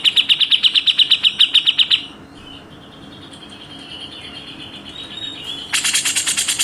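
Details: A grey-cheeked bulbul (cucak jenggot) in a training recording for contest birds fires a fast run of about fifteen sharp, rough notes, falls silent under steady hiss, then starts another dense, harsher burst.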